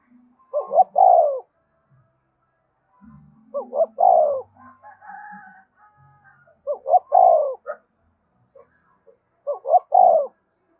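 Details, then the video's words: A spotted dove sings its 'gáy thúc' song to set captive birds calling. Four phrases each have two short coos and a long falling note. Faint tonal calls from another bird come between the phrases. "Tiếng chim cu gáy thúc cực đỉnh, mở lên bổi nghe gáy theo cả ngày"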